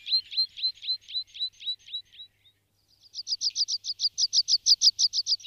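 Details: Water pipit (Anthus spinoletta), song.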